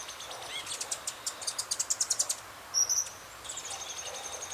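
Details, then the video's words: High, thin notes from a rufous-headed tanager in Belo Horizonte, Minas Gerais, in a quick series that grows louder, then one sharp high note and fainter trailing notes over steady background hiss. "Saíra Ferrugem (Hemithraupis ruficapilla)"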